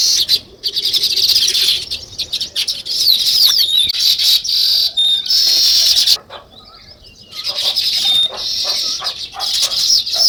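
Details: Sparrows and weaver birds producing dense high chirping with a few downward-slurred notes; the chatter pauses for about a second, then resumes as a continuous lively chorus.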